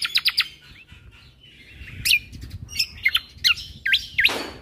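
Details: Cucak kombo, a caged bird, singing a varied full-fill 'tembakan' song used as a tutor for other caged birds: sharp upward and downward whistled sweeps and quick chirps in irregular bursts, ending with a harsh rasping note.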